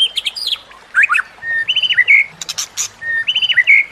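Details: Song of the white-rumped shama, used to train caged shamas, with nature sounds and trickling water: short bursts of varied whistles and twisting phrases, separated by brief pauses.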